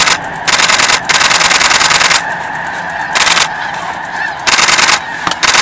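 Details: Migrating snow geese near Edmonton taking off in alarm from a pond: a dense chorus of calls from a few thousand birds, cut by long, loud bursts of broadband rushing noise.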